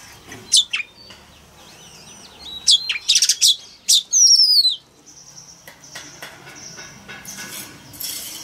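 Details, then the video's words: Caged male oriental magpie-robin singing to spur young birds into song: scattered sharp chips, then a long clear whistle sliding downward, followed by soft thin notes and quiet rustling. "Choè than trống hót réo kích bổi mở mỏ hót theo"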